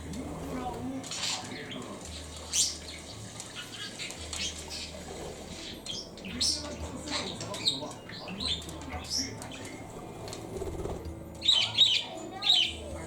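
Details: A pet lutino budgerigar gives soft, chuckling, laugh-like chirps mixed with high, scratchy chatter while playing with a sun conure.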